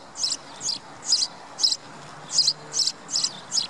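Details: A House Sparrow in the Wittlich valley, Germany, in 2017 gives short, bright chirps, about eight in under four seconds at an uneven pace, over a faint background hiss.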